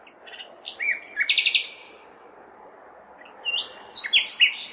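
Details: A nightingale sings at night in a big city in May. A phrase of sharp notes ends in a rapid repeated trill, then a pause, then another burst of clear whistles and chips, with a low city hum underneath.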